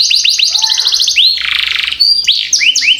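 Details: Canary pouring out a rolling gacor song for training other birds: a quick pulsed trill, a broad buzzy rattling passage, then sharp rising-falling whistles.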